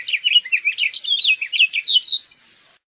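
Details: Short burst of house finch song: quick twittering, up-and-down slurred high notes run together over two and a half seconds, fading at the end in otherwise silent surroundings.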